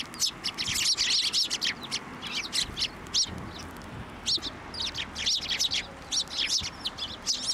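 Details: At a Tenmangu shrine in March 2024, a sparrow flock swarms a hand offering food, chirping loudly and continuously in bright, clustered, overlapping notes.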